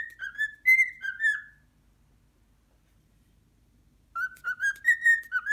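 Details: A cockatiel kept as a pet, scared by its first muscat grape, utters a short string of clear whistled notes, pauses about two and a half seconds, then resumes with a faster series of whistles.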